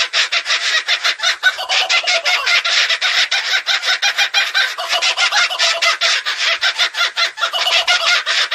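Kookaburra in a raucous, nonstop cackling laugh: harsh hooting bursts tumbling rapidly, about four or five per second, loud and unbroken throughout.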